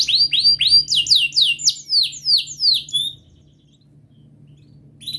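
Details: Canary singing a quick series of loud downslurred chirps, repeated about four times a second, ending in a short whistle and silence, used to coax a quiet canary into song.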